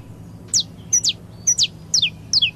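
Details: Short passage of Saffron finch paulista song: five crisp, high, downward-sweeping notes, some preceded by a brief softer pip, spaced under half a second apart.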